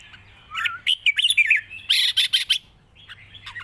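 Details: Red-whiskered bulbul in wild song style with long phrasing and a light voice, delivering a lilting run of looping, slurred whistles followed by harsher chattering notes, then quieter trailing warbles.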